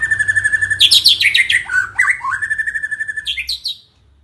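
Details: White-rumped shama (murai batu) in lively song: a quick burst of varied high chirps and sharp sweeping notes sliding down from very high to middle pitch, then fading, over a steady pulsing whine that runs underneath.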